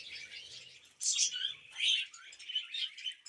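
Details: Household budgerigars give softer, sparser calls: a low murmur of chatter, then at one second a sharp high squeak followed by separate chirps and warbled notes.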